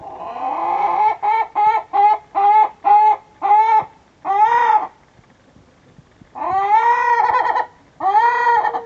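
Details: Orpington hen calling as she heads to the nest to lay an egg: a run of seven short, evenly spaced harmonic clucks, then after a pause two long, loud, slightly rising drawn-out calls.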